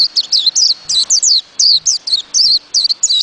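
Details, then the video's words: White-eye song: a rapid run of high, thin, descending twittered notes, each a quick downward slur, strung together almost continuously across three seconds with tiny gaps. "Burung pleci"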